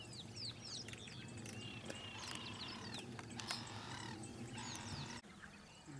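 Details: Nest-weaving Southern Masked Weavers in Pilanesberg National Park, South Africa, January 7, 2013, give sharp falling chirps and harsh sizzling bursts in quick, irregular succession, several birds calling at once.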